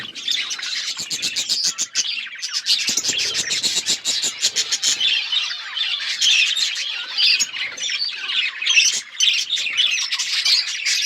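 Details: Many budgerigars chirping together: constant loud high chatter, squawky and warbled, with sharp clicking ticks early on.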